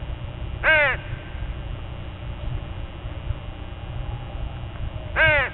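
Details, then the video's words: Crows from a gathered flock at dawn: two loud, harsh, harmonic caws, one near the start and one near the end, roughly four and a half seconds apart, over a steady low rumble. "Dawn with a Murder of Crows"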